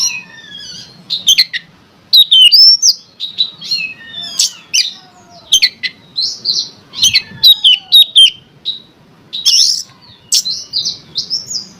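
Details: Provoking song of an Oriental magpie-robin, meant to make other magpie-robins sing: dense, varied stream of whistles, trills, chips and slurred notes, nearly continuous with short gaps.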